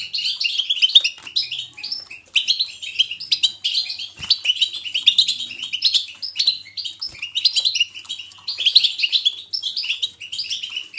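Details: European goldfinch in 'betbeta' style, played to encourage another goldfinch's singing: long, near-continuous stream of rapid high twitters, chirps and buzzy trills, interrupted only by a couple of short breaks.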